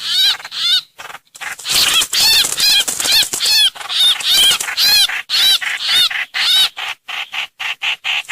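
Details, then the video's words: Streak-eared bulbul calls used as a lure recording: loud harsh chattering notes in rapid bursts, some with stacked arching harmonics, repeated about twice a second with brief silent gaps. "Tiếng chim trao trảo- hoành hoạch mồi mới 2022"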